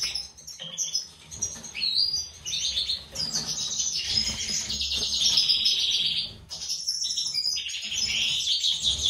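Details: Captive European goldfinches, a white-throated mutation male paired with a classic female for breeding; long run of liquid twitters and fast buzzy trills, nearly continuous with one short break, all bright and high-pitched.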